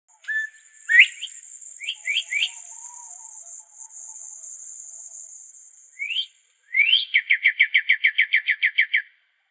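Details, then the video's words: Northern bobwhite quail call: clear whistled notes sweeping sharply upward, a few short rising chirps, then a quick run of about fifteen notes, over a steady high insect hiss. "Bobwhite Quail Call"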